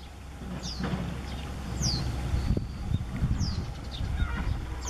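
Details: Parent Japanese wagtail perched in a tree in May 2021, alarm-calling near a recently fledged chick: sharp, high, downward-slurred notes roughly every second, over a steady low rumble of wind or distant traffic.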